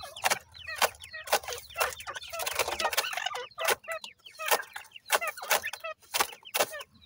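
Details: A group of 28-day-old francolin (teetar) chicks feeding in a yard, peeping loudly in rapid repeated high slurred notes while hard pecking taps sound roughly every half second.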